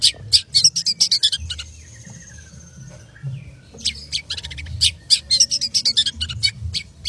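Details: Long-tailed shrike chattering fast in 'konslet' style: loud bursts of harsh high notes, a quieter stretch with a thin drawn-out whine, then another rapid burst of scratchy calls.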